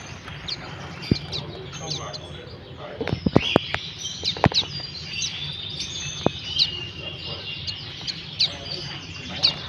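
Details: Common waxbills (Estrilda astrild) give thin, high chips and twittering notes in a busy flock chatter, with sharp clicks and a low background hum.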